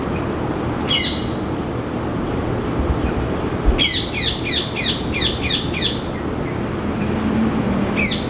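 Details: Male rose-ringed parakeet, an introduced resident breeder in Singapore, calling noisily from a ceylon ironwood tree outside a window: harsh, screeching squawks, one near the start, a rapid run of about seven from four to six seconds, another at the end, over steady background rumble.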